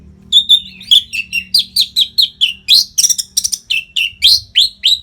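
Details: Orange-headed thrush singing continuously without pause, a training song for fighter birds: a dense, fast stream of varied whistled notes and short trills, about four per second, shifting pitch from phrase to phrase.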